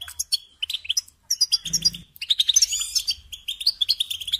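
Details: Goldfinch singing, from a guide on keeping goldfinches: short bursts of sharp tinkling chirps that build into a quick, buzzy, warbling run, with a brief low hum in the middle.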